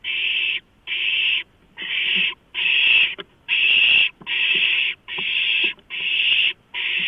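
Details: Several owlets grab a large rodent brought to them on 23 March 2015, giving harsh breathy hisses in a close, regular series of about nine bursts with faint clicks and scuffles between.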